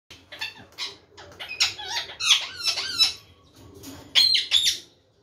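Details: Parrot calling indoors in a small room: a run of harsh, scratchy squawks and squeaky chatter, some rising and falling notes, uneven bursts over five seconds with short pauses between them.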